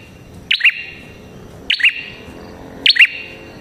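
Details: Red-headed prinia lure: three evenly spaced bursts about 1.2 seconds apart, each a loud metallic chip followed by a lower twanging note, clear and close above faint hiss.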